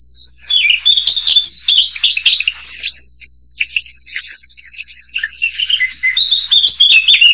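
A Narcissus flycatcher sings a rapid, high run of sweet chirps and warbled notes, bursting in phrases with a short pause midway.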